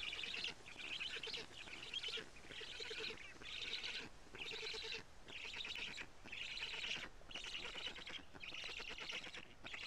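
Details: Black storks at a nest in Karula, Estonia, on a live nest camera, 14 June 2017 near 17:55, while an adult feeds big fish to the young. Raspy, buzzy bursts repeat about once a second in a steady run.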